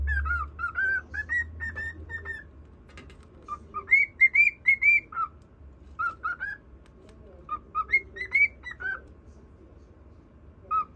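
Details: Pet cockatiel indoors, singing a whistled tune to a budgerigar; clear melodic whistles around mid pitch, short phrases of rising and falling notes, some slurred upward, in bursts with pauses, over a low steady background hum.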